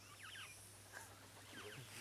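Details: A Red-capped Robin-Chat sings two quick bursts of rich, swooping whistles about a second apart, with a single clear note between them over a low steady hum; recorded in 2011.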